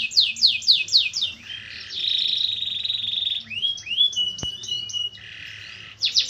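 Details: Canary song mixing slow downward sweeps with a harsh buzzing trill, curved whistled notes and a sharp click, ending with a renewed run of quick falling notes.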